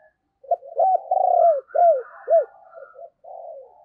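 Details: Decoy spotted dove cooing and giving thúc calls to draw wild doves: a drawn-out mellow coo followed by three sharply arched, clipped notes, then softer trailing murmurs.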